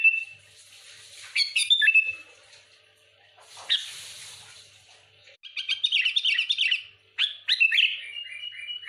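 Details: Sooty-headed bulbul in full chatty song aimed at rivals: a clear whistle, a burst of chirps, then a fast run of bright repeated notes and a descending whistled phrase.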